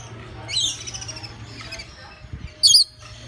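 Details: Lorikeets at a zoo exhibit give two shrill, screechy calls: a harsh falling squeal, then a louder piercing burst about two seconds later, over a low steady hum.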